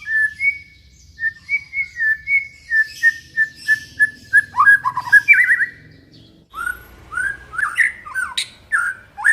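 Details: White-rumped shama song to stimulate other shamas: a steady series of short paired whistles repeated about every half second, then louder varied warbling phrases, with low background rumble.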